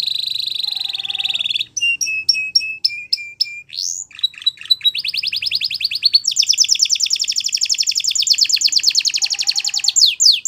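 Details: Song used to train young canaries. It opens with a steady buzzy trill, followed by spaced bright chip notes, a rising sweep and mixed phrases, then a long, very fast rattling trill of repeated high notes.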